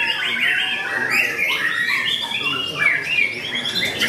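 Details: At a bird contest, a white-rumped shama sings hard in fighting style: a dense run of clear whistled notes and upslurred phrases, other caged birds calling alongside and faint crowd chatter.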